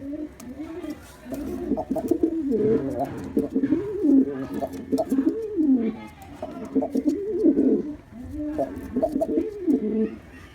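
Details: Continuous low, wavering coos from a black male pigeon in display, phrases rising and sinking one after another with little pause.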